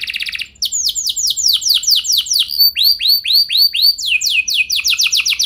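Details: Canary lure song meant to make other canaries sing long rolls: a brief buzzy burst, then steady repeated sweeping high notes about four per second, shifting through several phrase types with faint overtone chirps above.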